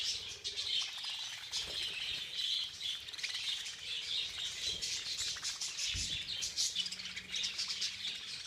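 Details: A bunch of budgerigars at a feeding frenzy keeps up steady high-pitched twittering and squawks, with a brief low thud near the end and a faint steady hum.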